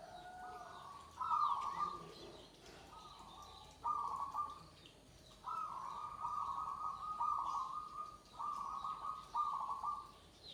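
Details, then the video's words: Perkutut joglo, a zebra dove, cooing continuously: a run of steady, tonal phrases, some broken into quick linked segments, with brief gaps and a calm outdoor background. "suara perkutut joglo"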